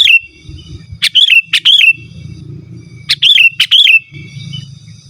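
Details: Sooty-headed bulbul in vigorous, unembellished song used to call rivals and lure wild birds or tutor caged birds: two paired phrases, each a sharp click then bubbly, liquid whistled notes, repeated about two seconds apart over a low rumble.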